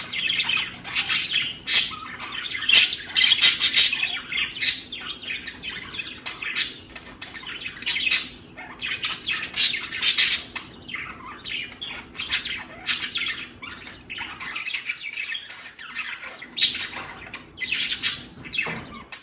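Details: A male budgerigar courting a female with somersaults chatters in fast, scratchy squawks and chirps, a courting warble.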